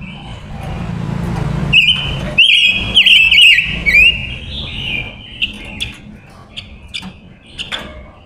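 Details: Decoy silver-eared mesia hen singing to call wild males: a low hum at first, then a dense, wavering run of high whistled notes lasting about two seconds, trailing into scattered chirps.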